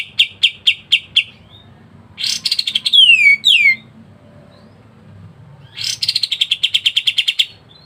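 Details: White-shouldered triller singing a tight 'ngebren' tutor song: evenly spaced sharp notes, then a buzzy burst with two falling whistles, a pause, and a long rapid trill of high chirps. Faint low background hum throughout.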